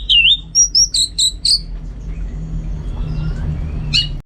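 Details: An orange-headed thrush (Geokichla citrina), a songbird kept for training, gives a quick burst of high, sweet whistled and chattering notes, about six in 1.5 seconds, then a softer phrase over a low hum.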